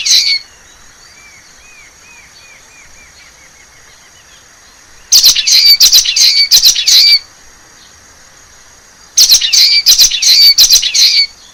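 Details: Forest recording of a wild common waxbill: a faint train of soft, evenly spaced arched notes, then two separate bouts of loud, harsh, buzzy high-pitched chatter, each about two seconds long.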